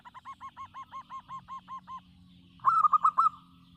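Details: Local zebra dove singing: a run of about eleven soft, evenly spaced arched cooing notes, then after a pause a louder burst of five quick rolling coos; faint low hum beneath.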